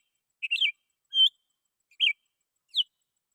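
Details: Sooty-headed bulbul calling rivals, used as a lure for wild bulbuls: four separate whistled notes, the first a short warbled phrase and the rest single bright chirps, spaced with clear pauses.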